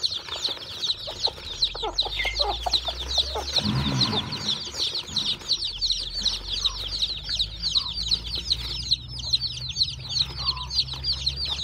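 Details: Chicks hatching from a hen's eggs at a farm, a crowd of high, thin peeps, each a quick falling whistle, pouring out without pause, with a low thump or rustle around the middle.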